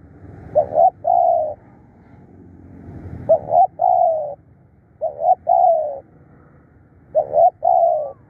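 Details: Decoy spotted dove calling insistently: repeated paired coos, a short note followed by a longer flat coo, four such phrases spaced one to two seconds apart, with low rumble.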